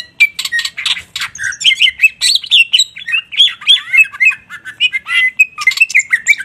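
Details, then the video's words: Greater green leafbird in full, lively song, releasing its bursts: harsh chirps and squeaky notes at first, then a fast tumbling sequence of looping, slurred whistles that rise and fall without pause. "Cucak Ijo GACOR tembakan kluar semau"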